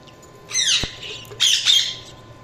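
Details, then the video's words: Budgies chirping: two bursts of harsh, squawky chatter with quick rising-and-falling notes, separated by a short pause, over a faint steady hum. "Budgies Chirping sound"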